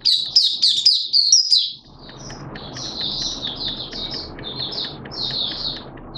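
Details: Malaysian oriental white-eye, a hobby cage bird, singing: a brief loud cascade of rapid high twitters, followed by quieter, evenly spaced soft warbled notes.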